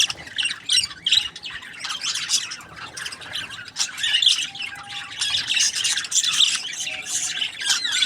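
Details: Parakeet chatter from a group of budgies: steady, overlapping high chirps and raspy warbles with frequent short squawks, holding an even, lively level throughout.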